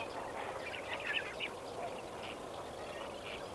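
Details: Lesser flamingos at Kamfers Dam at sunrise on 18 May 2024: a steady murmur of overlapping nasal, gabbling calls from the flock, with a few sharper, higher squawks standing out near the middle.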